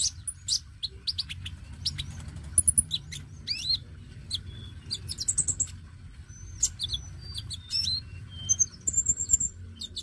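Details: Oriental magpie-robin song meant to lure and stimulate young birds: scattered high thin whistles, sharp ticks and short buzzy notes, delivered in loose bursts over a low steady background hum.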